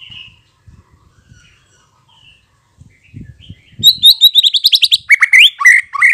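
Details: White-rumped shama lure song to make shamas reply: after faint knocks and soft notes, an abrupt rapid trill of high sharp notes, then lower rising whistles in quick succession.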